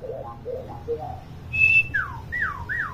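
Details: A chattering common hill myna used to tutor young mynas: soft low warbles, then a sharp steady whistle and three loud whistles that slide downward.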